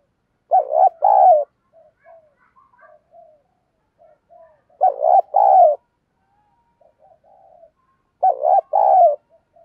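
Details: Spotted dove used as a decoy to draw in others. Three well-spaced coo phrases, each a quick double note and then a drawn-out hoarse coo, roughly every four seconds. Soft, faint cooing fills the gaps.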